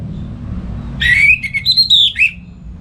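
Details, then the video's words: Caged orange-headed thrush kept at home in Singaraja, North Bali, singing in the morning as a tutor for other songbirds: one fluid, warbled phrase around two to four kilothertz, sliding up and down, over low background hum. "ANIS MERAH Ngeplong Gacor Untuk Pancingan & Masteran Burung"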